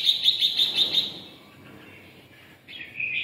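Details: Red-whiskered bulbul of the red-eyelid type with its 'ché' song: a fast run of six sharp repeated chirps, softer fragments, then a rising warbled phrase at the close.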